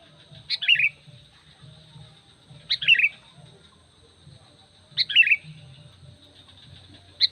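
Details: Sooty-headed bulbul calling to lure other bulbuls and wild forest birds: three bright, chirpy phrases, each a quick burst falling in pitch, spaced about two seconds apart, over a faint low hum and a steady high whine.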